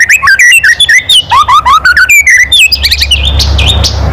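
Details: Loud provocative kretekan of a White-rumped shama: a rapid stream of clipped, slurred whistle notes, some rising, some dropping, packed closely for three seconds before fading into background rumble.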